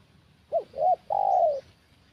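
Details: Big-voiced spotted dove in 'kuk satu' style at a decoy trapping session, giving a short arched note, a second brief coo, then a drawn-out steady coo that fades lower at its end.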